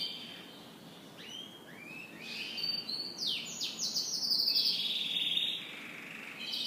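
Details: Canary singing in the morning: short whistled phrases, then a burst of fast repeated trill notes and a sustained high warble, over soft background noise.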